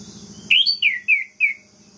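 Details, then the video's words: Orange-headed thrush singing to provoke other birds of its kind: one quick phrase of four sharp whistled notes, the first rising then falling, the rest sliding downward, with faint low hum behind. "PUTARKAN INI 1 MENIT SAJA‼️ DIJAMIN ANIS MERAH LAIN LANGSUNG MENGAMUK"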